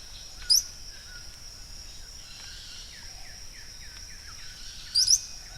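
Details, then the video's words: A Yellow-browed Tody-Flycatcher in El Escondite Natural Reserve, Colombia, gives two sharp, very high, brief notes about four and a half seconds apart. They sound over a steady high insect drone and soft distant bird chips. "Yellow-browed Tody-Flycatcher and its Sound."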